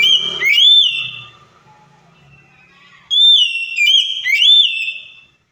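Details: Oriental magpie-robin singing as a lure for a silent, stressed bird: sustained piercing whistles with rising and arched slurs in two bursts, a quiet gap with low murmuring between them.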